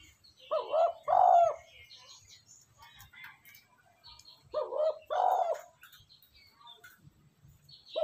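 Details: Spotted dove cooing as a lure to train a decoy: two low two-part coo phrases about four seconds apart, each a short note followed by a longer, louder one, with faint chirps between.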